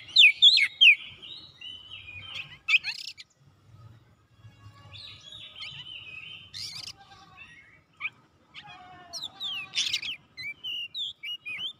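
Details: Oriental magpie-robin singing to seek a rival: scattered harsh notes and thin whistles over a low background hum, with a quicker series of whistled notes toward the end.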